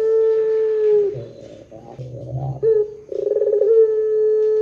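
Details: Barbary dove giving a long-drawn pelung-style coo, used as a lure to set other doves calling: a steady low hollow tone, a rough rumbling middle, then a rapid rolling trill that settles back into a sustained coo.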